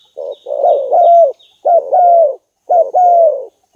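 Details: Loud, close cooing from a spotted dove used as a lure call, three phrases of low, slurred notes that bend up and down, with brief pauses between them.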